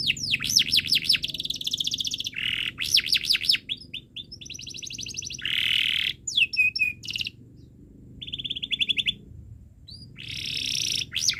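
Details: Tutor song for young canaries: rapid downward-sweeping chirps alternate with dense buzzy rolls and flat whistled trills, broken by short pauses, in a long, varied sequence of phrases.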